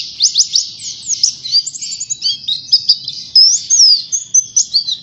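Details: Oriental white-eye in full song, offered as a lure to stir other birds: a fast, unbroken stream of high, thin chirps and twittered trills, with short sweeping notes and quick flourishes, steady throughout.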